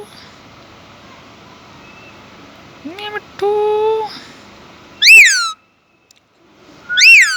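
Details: Pet Indian ringneck parakeet speaking Urdu/Hindi: a held voice-like tone with stacked harmonics, then two loud harsh rising-falling screeches near the end.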